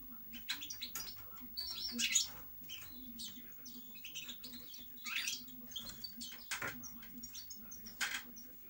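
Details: European goldfinch song, scattered twittering chirps, short buzzy rattles and thin whistles in loose phrases, somewhat quieter, over a constant low hum.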